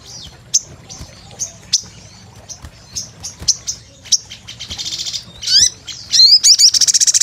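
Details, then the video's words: Sunbird (sogon), an energetic lure recording: sharp high chirps in uneven bursts, then a buzzy rapid rattle and upward-swept twittering notes near the end. "Pancingan SOGON GACOR"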